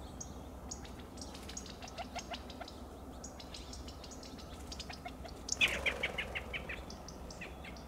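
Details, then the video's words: California Quail in Del Monte Forest, CA, give sharp, clipped, rapidly repeated pit-pit alarm notes warning the covey of danger. Midway, a sudden burst of wing noise rises as they flush away. "Alarm calls and Flight of the California Quail"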